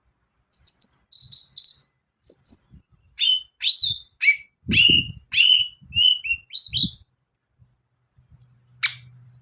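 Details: Prompt song of a long-tailed shrike, meant to provoke reluctant birds into singing: short high whistled notes, then harsher chirps and downslurred squeaks in separate bursts, ending with one sharp call after a pause.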